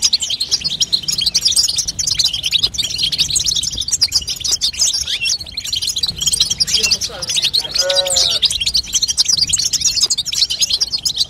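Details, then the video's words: Female European goldfinch chatter for stimulating a young goldfinch to sing: steady dense high twittering, with a short lower harmonic call breaking through near the eighth second. "بتبته لتقويه فرخ الحسون تخلي يغرد غصب عنو"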